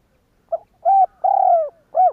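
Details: Spotted dove calling to stir other doves into cooing: one low cooing phrase with a short soft opening note, two long hoarse coos, and a brief closing coo, all clear against a silent background.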